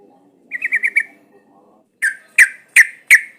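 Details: Sooty-headed bulbul lure call meant to make other bulbuls sing. A quick stuttering trill of five notes comes first. After a pause, four loud, sharp, ringing notes follow about every third of a second.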